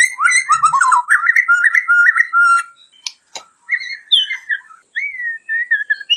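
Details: Song of a white-crowned shama, meant as a model for training other birds: fluid whistled phrases rising and falling, two sharp clicks mid-way, then separated clear whistled notes.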